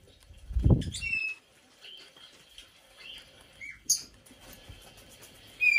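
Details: : a loud low thump, then a 5-year-old female Black-headed parrot kept as an indoor pet gives short shrill squawks with ringing whistled tails, plus soft whistles in between.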